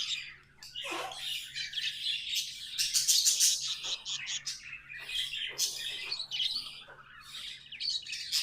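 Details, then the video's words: Singing budgerigars indoors: quick, busy chatter of buzzy chirps and clicks with short squawks, fairly continuous, over a low steady hum. "Budgies amazing love & singing 🎵 sounds"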